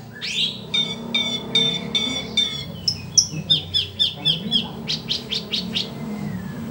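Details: Sooty-headed bulbul, called cucak keling, singing. Bright whistled notes come in steady repeated phrases, then give way to quick downward-slurred notes at about three per second and a few rising slurs to finish.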